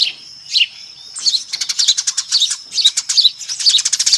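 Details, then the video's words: A few separate chirps open, then a noisy Eurasian tree sparrow flock builds into fast, overlapping chatter, recorded as a lure call. "SUARA PIKAT BURUNG GEREJA RIBUT AMPUH"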